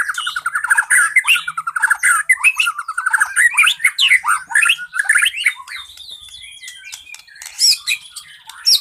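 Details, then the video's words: White-rumped shama with a varied repertoire, used as a lure to get other birds singing: rapid chattering and whistled phrases around the middle-high range, sharp rising notes and squawky bursts, later thinner high whistles and scattered clicks, no other sounds. "Suara burung murai isian bnyak macul terus cocok buat pancingan burung yang macet"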